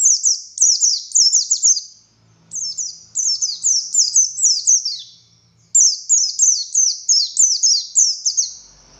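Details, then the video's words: Oriental white-eye of the buxtoni form, singing a long ngalas song full of sharp tembakan notes, used as a master song for other white-eyes: rapid bursts of high, thin, downward-sliding whistles, strung in fast runs with brief pauses between phrases. "Burung Pleci Buxtoni Gacor Konslet Full Tembakan Ngalas Ngotot Fighter"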